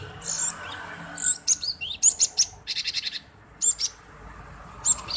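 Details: Male cinereous tit calling busily, a lure to provoke other birds to sing: crisp high chirps, quick downslurred whistles and a fast run of buzzy repeated notes, clear against a quiet background.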